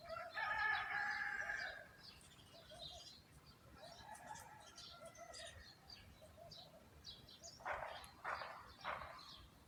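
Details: Chirping birds in a garden setting, opening with a loud whistled trill and followed by scattered soft chirps, then three harsh, noisy bursts near the end.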